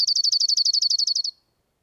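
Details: Dark-eyed junco trill song, smooth and without an agitated feel, played back: a rapid, even trill of about seventeen identical high, bell-like notes over roughly 1.3 seconds, then silence.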